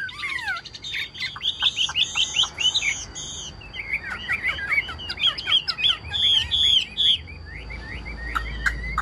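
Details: Kept Chinese hwamei singing strongly: a rich, fast run of loud whistled phrases, rising and falling slurs and quick repeated notes tumbling over one another, with short pauses between bursts and a steady faint high tone behind.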